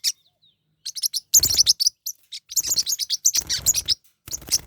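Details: Pet forpus parrotlets fighting: loud, dense bursts of harsh, high-pitched chirps and chattering squeaks in rapid clusters, starting after a brief silence and continuing almost without pause, with a short gap near the end.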